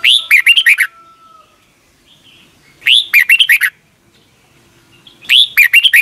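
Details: A red-whiskered bulbul from Thailand sings a phrase played for young caged birds each morning; three loud repeats, each a rising whistle then a fast series of falling notes, with faint softer chirps between.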